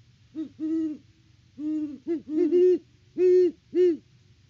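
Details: A great horned owl pair on a Kansas farm hoots during an October 2023 nest visit, filmed by a live cam; deep, hollow notes in uneven groups, the two birds' calls interleaving at slightly different pitches.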